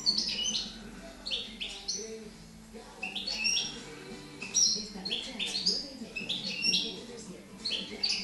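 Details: A young European goldfinch from 2013, just starting to sing, near Girona, twitters in bright, tinkling, high bursts about once a second, over a faint low murmur of voices or a radio.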